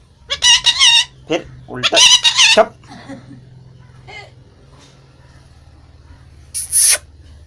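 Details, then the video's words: Talking parrot producing two bursts of speech-like harmonic syllables in the first three seconds, a faint murmur after, and a brief sharp high note near the end. "Talking parrot"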